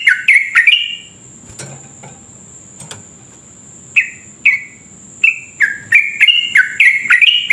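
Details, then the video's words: A yellow-vented bulbul sings long rolling runs of bubbly, gurgling notes that rise and fall in quick chattering bursts, with a thin, steady high whine behind it. "trucuk gacor ropel panjang"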